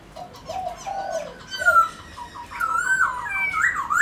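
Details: Pet Black-throated laughingthrush song used to prompt other birds: low mellow warbled notes first, then higher rising slurred whistles that build in loudness toward the end.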